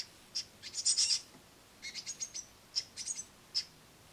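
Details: Noisy great tit nestlings begging at a window sill while a parent brings crushed madeleines; clusters of loud, very high, thin chirps and squeaks in quick bursts with short pauses between.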